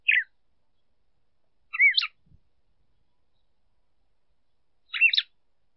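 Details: A female red-cowled cardinal sings to stimulate a male: three short, bright phrases of slurred whistled notes, a few seconds apart, in a quiet background; finding: Red-cowled cardinal.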